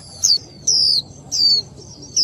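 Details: Female warbling white-eye, a Vietnamese cage bird, prompting the male to sing: four high downslurred whistles spaced about half a second apart over a low background hum.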